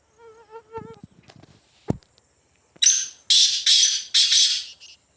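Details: Wild black francolin roaming free in the jungle: a few soft whistled notes lead into a loud run of four harsh, rasping, grating notes, closely spaced, with a brief softer note trailing at the end.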